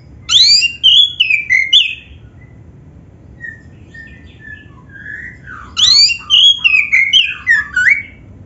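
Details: Black-breasted oriental magpie-robin in vigorous song, played to get other kept magpie-robins singing: two loud bursts of tumbling whistled phrases separated by soft quiet notes, crisp and melodic.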